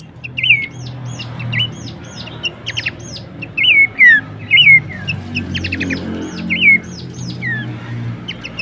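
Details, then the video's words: Horsfield's babbler (pelanduk semak) song used as tutoring and lure material for cage birds: slurred whistles dropping in pitch, mixed with short stacked clicking bursts, repeated irregularly over eight seconds; faint low hum beneath. "masteran dan pancingan bunyi khas burung pelanduk semak."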